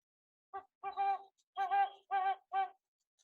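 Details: Great horned owl hooting song played back as a recording, lower and less loud than a barred owl: a short note, then four longer, deep, muffled hoots in an uneven rhythm over about two seconds, slightly tinny.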